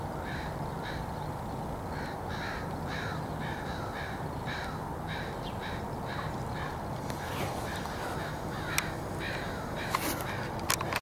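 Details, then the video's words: A crow gathering in backyard trees on 29 July 2014: rhythmic raspy caws repeat about twice a second over a low rumbling background, followed near the end by sharp clicks and knocks. "Backyard Crow meeting"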